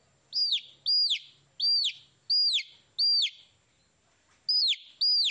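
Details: Baby chicks giving loud, high falling peeps in a run of five, a pause of over a second, then two more, over faint low hum.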